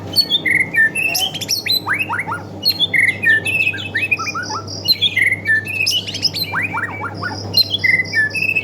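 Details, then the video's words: Medan white-rumped shama singing in bowing posture, used as a training lure. Loud, varied phrases mix ringing whistles, steep downward sweeps and harsh squawky notes, repeated in quick bursts over a low steady hum. "Murai R9 gacor gaya maen sujud2 cocok buat pancingan burung bahan"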